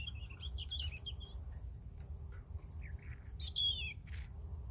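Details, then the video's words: European robin singing, a run of thin high warbled phrases and trills, some notes reaching very high, with pauses between bursts over a steady low background rumble. "Саҳарқуш (Erithacus rubecula)"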